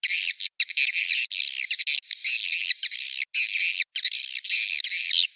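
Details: Swiftlet roosting call, the 'suara inap' lure sound of the Piro 89 version: dense, high twittering chirps with buzzy trills layered together, broken by abrupt silent gaps at regular intervals, with no low sounds at all.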